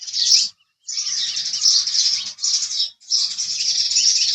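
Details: Sustained loud chirping from house sparrows, a brief note then long continuous stretches of dense high twitter broken by short pauses.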